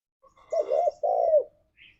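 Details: Spotted dove (tekukur) giving two low, rolling coos in quick succession, the second longer and slightly falling, then a faint high chirp from another bird; used as a lure call to stimulate caged doves to sing.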